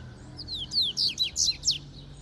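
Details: A double-collared seedeater at Itaguaçu, Espírito Santo, Brazil, sings a quick, high phrase of chirps, downward slurs and buzzy notes lasting just over a second, with a faint background hum.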